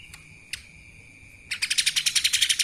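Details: Two isolated sharp chips, then a lesser green leafbird bursts into a fast, dense trill of high notes in the kapas tembak style, over a thin steady tone.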